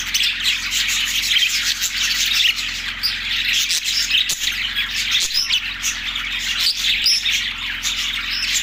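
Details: Continuous high-pitched budgerigar twittering in Larkana, Sindh, March 14, 2024, many birds chirping over one another with occasional sharp clicks.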